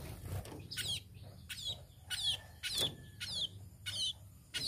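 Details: Tame sparrow uttering high, quick downward chirps about twice a second, with a faint steady tone in the background.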